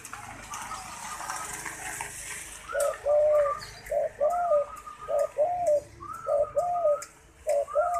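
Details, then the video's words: Zebra dove cooing actively, repeating short low rolling coo phrases about once per second, each a soft hooting note pair with a slight rise, over a quiet indoor hiss. "Burung derkuku gacor"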